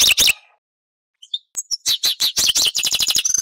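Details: Two sharp chirps, a short silence, then a European goldfinch bursts into rapid, accelerating twitters and fine metallic trilled notes.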